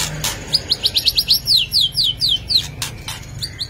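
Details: White-rumped shama delivering a rapid series of clear, high descending whistled notes, about a dozen quick slurs in succession, followed by sharp chirps, over a low background hum.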